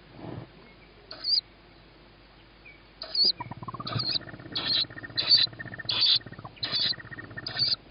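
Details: Tawny owlet calling on 21 May 2017 at 21:38 as it hears its mother arrive, with a sibling fed first on the roof before feeding. Wheezy, hissing high begging notes, repeated roughly every 0.7 seconds and growing louder, over rustling.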